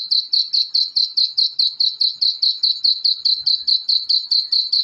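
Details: Black francolin chicks giving a fast, steady series of high, thin peeping notes, about two to three per second, evenly spaced and unbroken throughout.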